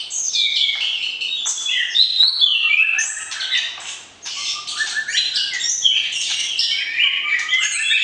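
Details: White-rumped shama in breeding pairing, singing to arouse a mate before moving to a breeding cage; dense rich song of varied whistles, slurs and chirps, with fast phrases changing pitch continually and a short dip midway.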